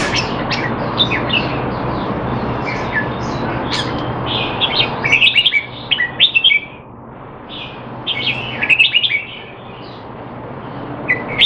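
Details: Caged Red-whiskered bulbul in Singapore, training to stay sharp though not in form, 25 December 2020; rapid chattering notes early, then two dense bursts of loud warbling separated by a quieter gap, with a low steady hum.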